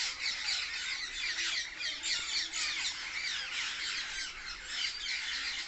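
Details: Loud chirping from many parrots in a tree: a thick wall of harsh, high-pitched squawks and short chirps, constantly overlapping and swelling slightly in waves.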